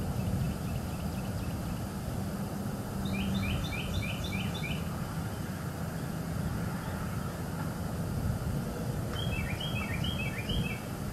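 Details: Bald eagle pair at a nest in northeast Florida, recorded by live nest cam in early morning in winter, female calling as the male arrives to take over incubating eggs; two bursts of rapid high chirps, about six notes each, over steady low rumbling background noise.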